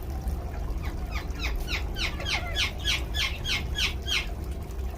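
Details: Rose-ringed parakeet during a shower; harsh, screechy squawks that sweep up and down, about eight in quick succession, over a low rumbling background.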